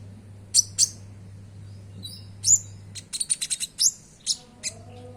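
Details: Common iora (konin) singing, played as a lure to get caged birds singing. Thin, very high chirps give way to a rapid run of clipped notes, then more scattered whistles, over a low hum.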